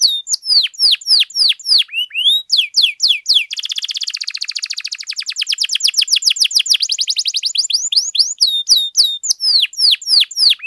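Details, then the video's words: Actively singing canary, recorded for training and provoking other canaries: fast sharp downslurred notes about three per second, then a long dense rolling trill, returning to the quick sliding notes. "KENARI GACOR DURASI PANJANG BUAT MASTERAN DAN PANCINGAN KENARI"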